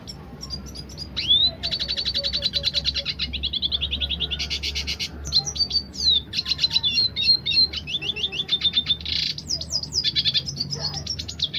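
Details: Dilute red siskin singing in the lively roll tembak style: a fast, bright twittering of buzzy trills and sharp rising whistles, broken by brief pauses, with a faint low hum underneath.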